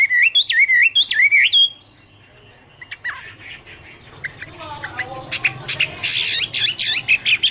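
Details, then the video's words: Chinese hwamei in autumn song: two loud swooping whistle phrases, then a quiet pause and softer scattered notes before a dense, noisy burst of song at the end. "" Autumn Love Song " Bird Garrulax canorus Singing- Birdsong"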